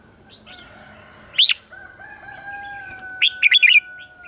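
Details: Red-whiskered bulbul singing its morning song as training material for other birds: one bright slurred note, then a rapid burst of four or five clear whistled notes, over a steady humming tone.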